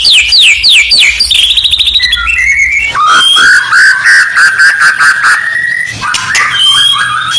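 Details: White-rumped shama (murai batu) song used as harsh provoking contest-training audio: rapid descending high whistles, a fast trill, then a long wavering mid-pitched warbled phrase with sharp clicks and ticks.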